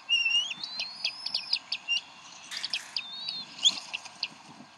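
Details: At the Decorah bald eagle nest on an April 2012 evening, mother feeding eaglets; a rising thin whistle followed by a rapid series of sharp high chips, then another brief whistled note, with faint background rustle.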